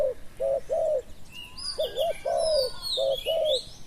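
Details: Spotted dove coos, recorded while a decoy bird lures wild doves. Three groups of low, rounded coos pair a broken double note with a longer smooth one. Thin high twitters of small birds run through the middle.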